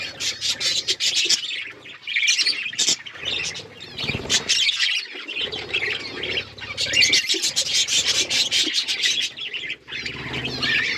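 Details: Group of pet budgerigars chirping and squawking in bursts of dense chatter, with brief lulls around the fourth and tenth seconds and soft low background rumble.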